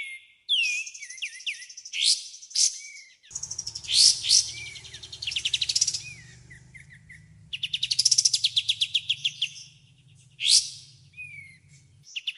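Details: Clear white-rumped shama competition song with many bursts: whistled slurs and sharp loud notes, then long fast rattling trills and twittering, over a faint low hum.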